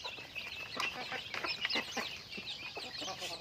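Chickens clucking and chattering in a busy, overlapping flock, with short squawky notes and soft murmurs tumbling over one another.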